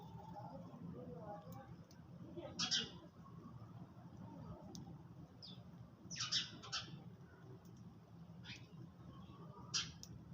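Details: While eating at dawn, sparrows let out scattered high chirps, single and paired, spaced a few seconds apart, with a steady low hum underneath.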